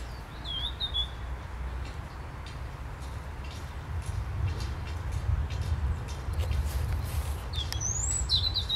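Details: A European robin singing in bushes in a park in Skarszewy, Poland, on 15 November 2020, gives thin, high, wavering warbled phrases, one near the start and one near the end, over a steady low rumble.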